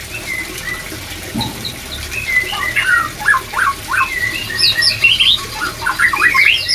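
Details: White-rumped shamas, many birds, singing to raise breeding drive: clear whistled notes and rapid slurred phrases around mid-high pitch, growing louder and denser toward the end, with steady low background hum.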